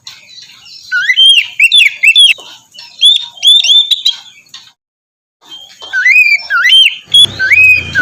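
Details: White-rumped shama song played as morning therapy to coax a reluctant caged bird into singing: loud whistled phrases with rising and falling slurred notes, repeated in bursts, a short pause near the middle, then more looping whistles.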